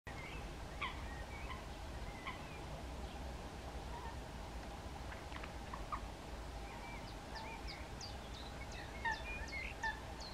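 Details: Great Crested Grebes (Podiceps cristatus) at Hraški mlaki on 27 March 2022 give short, harsh, gobbling notes, scattered and overlapping, with thin high chirps and a steady low rumble of wind.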